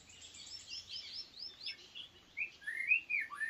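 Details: White-rumped shama kept as a decoy bird, described as weak: high thin whistled phrases with quick upslurred notes, then louder slurred whistles near the end, over faint background noise.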